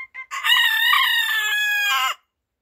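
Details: Rooster crowing in the morning: two short clipped notes lead into one loud, harmonically rich crow held for nearly two seconds, slightly rising, then a falling end, followed by silence.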